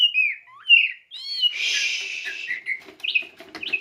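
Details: Song of a contest-winning Oriental magpie-robin, starting with sweet whistled slurs, then a long harsh buzzing rasp, followed by quick scratchy chatter and short whistled notes.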